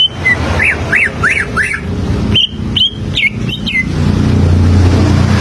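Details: Greater green leafbird standard song, used to teach birds to sing: a row of sharp rising-falling whistled chevrons, then a few clipped slurred whistles, with constant low rumbling underneath.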